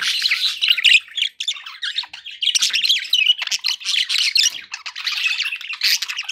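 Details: Pet budgerigars chattering indoors: dense, continuous scratchy warbling and squawky chirps, busy and overlapping with brief dips between bursts.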